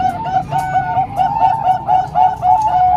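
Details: Zebra doves, a mix of three Bangkok-type birds and one local bird, cooing for training young birds: rapid overlapping series of short, mellow, slightly bubbling coos, several voices layered at once with a faint low hum beneath.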